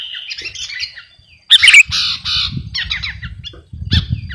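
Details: Sooty-headed bulbul, a 'garuda' type, singing busily as a master song for training or luring birds: chattering, squawky notes around mid-high pitch with one loud harsh burst, brief pauses, and a low rumble of background noise.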